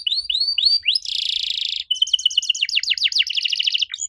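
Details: Canary singing to get young canaries to respond: three upward-curving whistles, a long harsh buzzy roll, then rapid repeated chirps turning into quick downward sweeps.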